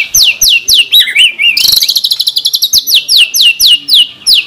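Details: Murai batu in a masteran recording of 'tembakan' song: fast repeated downslurred whistled notes, a wavering lower twitter, a dense pulsed rattle, then the rapid downslurs resume.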